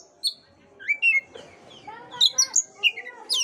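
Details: Oriental magpie-robin lure song meant to get a listless bird singing: brief bright whistles, some rising and some falling, delivered in a quick irregular string with a few buzzy notes.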